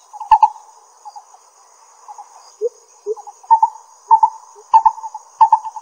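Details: Lesser coucal, Pingtung County, Taiwan, 22 May 2016: clusters of hollow mid-pitched notes with a couple of lower upslurred notes, the series quickening toward the end, over a faint continuous high insect whine.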